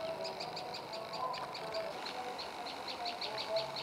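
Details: Tailorbird (prenjak lumut) calling in quick runs of high sharp chip notes, slightly rounded and bubbly, pausing briefly halfway before resuming, against a continuous low background murmur.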